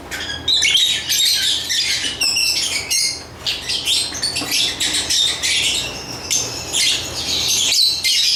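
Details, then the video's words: Lovebirds chirp almost without pause, a dense stream of shrill, scratchy, high-pitched twitters and squeaky notes rising and falling in intensity. "Lovebird Chirping Sounds"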